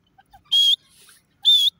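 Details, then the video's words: Grey francolin calling: two loud, shrill, high whistled notes about one second apart, each short and slightly rising, with near silence between. "teeter in awaz partridge in sounds"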